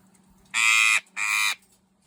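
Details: A hungry eclectus parrot gives two harsh, nasal, buzzy screeches, each about half a second long with a brief pause between, over a faint low indoor hum.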